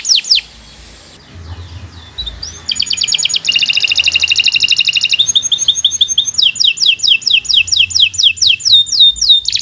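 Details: Canary of the Kenari Nusantara type, a training song for young or silent birds, singing long varied phrases: fast buzzy trills, rapid repeated notes, then a series of loud descending whistled sweeps; a quiet gap early on.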